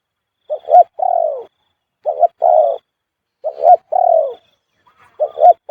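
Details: Khu-ang cooing by a spotted dove, which keeps to this style almost constantly: mellow phrases of two or three quick notes leading into a long descending coo, repeated about four times.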